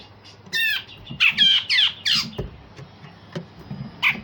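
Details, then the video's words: Grey-cheeked bulbul singing rough, sharp phrases meant to provoke other songbirds: four loud, scratchy, descending rasps in quick succession, then quieter clicks and one last harsh note. "Cucak jenggot Besetan Kasar dan Tembakan Tajam"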